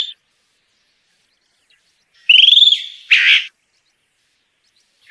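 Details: A Chalk-browed Mockingbird (Mimus saturninus) in the Brazilian caatinga sings a quick stuttering phrase that rises and falls, then a harsh, scratchy burst, with long silences between phrases.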